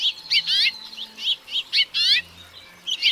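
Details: Song of a house finch, known in Mexico as carpadaco doméstico: quick clusters of sharp chirps alternating with harsh, burry rattled notes, delivered in a lively, uneven sequence over a few seconds.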